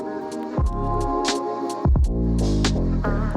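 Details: Electronic music with a steady beat, deep bass pulses and sustained tones, without any animal voice.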